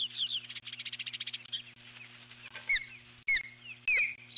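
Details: Eagle at the nest calling in alarm at an intruder: a rapid stuttering trill of high notes, about twenty in a second and a half, followed by separate sharp downslurred squeals, over a low steady hum.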